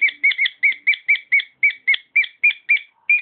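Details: Pet cockatiel singing: a steady series of short, clear whistled notes that rise and fall, about four per second, with faint chatter underneath.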